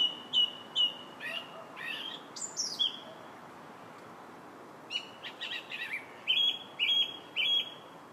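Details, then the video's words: July song of a song thrush: repeated clear whistled notes in pairs and triplets, a high thin phrase, then varied chattering notes and another run of repeated whistles; a faint distant coo underneath. "Song Thrush's Song July 8th"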